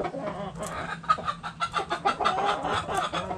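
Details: In a backyard chicken coop, hens and roosters cluck in quick pulsing bursts, several per second, with a soft scratchy background and a low hum.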